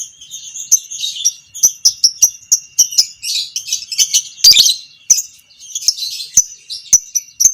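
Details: Violet parblue creamino lovebird of the fighter kind, heard as a training recording to draw out long ngekek chatter in other lovebirds; steady run of high, clipped chirps and scratchy twitters over several seconds.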